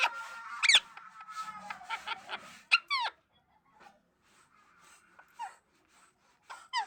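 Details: Talking parrot producing a busy run of whistled, sharply sweeping notes and raspy chatter, loud at first, then quieter scattered calls with gaps before a final burst of sweeping whistles.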